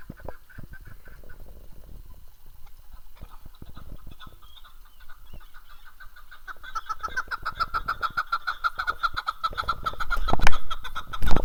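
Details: Chukar partridge in Darvoz, Tajikistan, 2019: after several seconds of quiet rustling and thumps, a quick chuk-chuk series starts and builds louder and denser, with loud bumps and knocks near the end.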